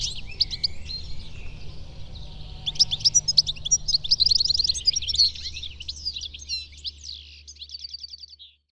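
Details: Song of the European goldfinch, a melodious chatter of fast, high, liquid notes and short trills that builds in the middle and ends with a quick buzzy series before fading, with low background hum.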